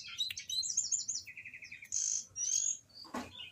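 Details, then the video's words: Orange-headed thrush singing, from a recording meant to prompt caged birds to sing: quick high chirps, then a row of about six evenly repeated lower notes, followed by drawn-out thin whistles, over a low background hum. "di jamin anis binbin bahan ikut bunyi"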